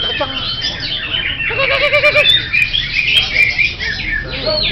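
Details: Greater green leafbird (cucak hijau) singing a continuous high, twittering medley of sharp chips, buzzy rattles and quick slurred notes, with a lower trilled phrase early on; people talking faintly.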